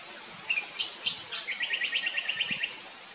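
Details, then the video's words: Kite calling over campers in its outback Australian territory: a few sharp high notes, then a rapid series of about ten short, evenly spaced whistled notes that fade out quickly. "Scream of the Kite"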